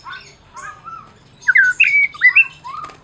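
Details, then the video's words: Prize-winning Medan white-rumped shama, song used to make mute shamas sing: soft distant whistles at first, then louder bright rising and falling whistled notes with rasping edges, and a brief rattle at the end. "Masteran Murai Batu Medan Berprestasi !! Murai juara,, cocok pancing murai lain yg bisu"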